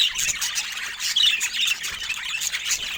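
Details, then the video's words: Pet budgies chattering softly with joy, several birds overlapping in high squeaky chirps and brief squawks, a dense and continuous twitter. "Budgies Creating Soft Sounds of Joy"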